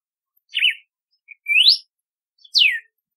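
Red-cowled Cardinal singing three clear whistled phrases about a second apart: a wavering note, a rising slur, then a falling one, with no other sounds.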